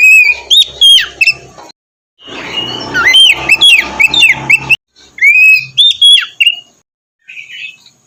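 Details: White-rumped shama singing in morning therapy meant to stir a lazy bird into full song; loud whistled phrases with sweeping notes and scratchy chatter, broken by brief silences, high and varied.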